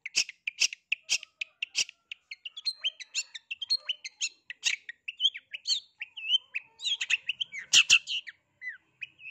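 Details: Long-tailed shrike seeking a rival, used to provoke other shrikes into answering. A run of sharp, evenly spaced ticking notes gives way to a dense jumble of short chirps, whistles and harsh bursts.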